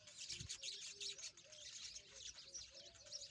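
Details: Several rosy-faced lovebirds playing together, giving dense, high, scratchy chirps and squeaks in continuous overlapping chatter, with a faint steady low tone and a soft thump near the start.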